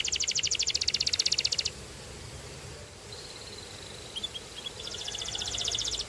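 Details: Canary delivering a dense, loud, rapid trill for under two seconds, a quiet stretch with faint short notes, then the rattling trill resumes; steady background hiss throughout.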